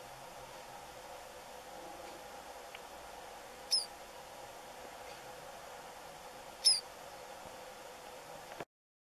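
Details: A single White-browed Meadowlark at Puente Romero, Gorchs, Buenos Aires province, Argentina, on 4 February 2017 gives two thin, high, squeaky slurred notes about three seconds apart over a steady low hum.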